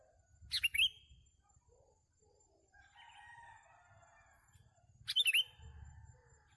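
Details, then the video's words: Two loud, harsh chirp bursts from a sooty-headed bulbul during bird trapping, some four and a half seconds apart, with softer warbling notes and faint low rumble in between. "MIKAT BURUNG KUTILANG SERU"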